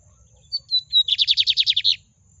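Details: Lined seedeater song delivered low: a few clear, slightly falling whistled notes followed by a rapid trill of roughly eight buzzy pulses, with only a soft background hum.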